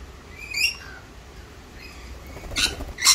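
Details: Wild rainbow lorikeets in Australia: short, harsh, screechy bursts, one early, then a louder pair near the end, with faint chattering notes between and a low background rumble.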